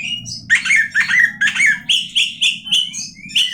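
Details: Oriental magpie-robin (kacer) song: a burst of buzzy chattering notes, then a series of clear, steady whistled notes repeated about four times a second, ending in a rising whistle.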